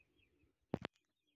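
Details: Male Indian peafowl in the Layyah, Punjab area, one of two peacocks present, gives two loud, harsh, clipped notes in quick succession, with faint background noise before and after.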